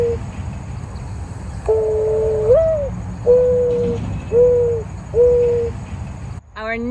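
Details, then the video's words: Mourning Dove giving its low, hollow, mournful coo, a call that makes it sound a little sad: a long note that swells upward, then three steady coos about a second apart, followed by a brief noise. "So mourning doves actually have a call that make them sound a little bit sad."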